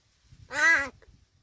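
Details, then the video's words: A talking crow from Gargaon, Palghar, gives one brief, rich, harsh caw with a faint low murmur beneath it. "गारगाव बोलका कावळा.. बोलतो जेवायला जायचे का ..palghar talking crow"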